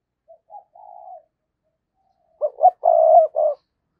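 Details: Lure spotted dove calling for wild doves: a few soft introductory coos, a gap, then a strong phrase of two clipped notes, a long mellow coo and a shorter closing note.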